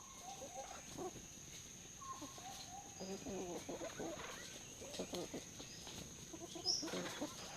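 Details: Red junglefowl at Neung Bird Hide in Kaeng Krachan National Park, Thailand, giving soft, low, chicken-like clucks in short irregular bursts over a steady high insect whine, with faint calls of other birds.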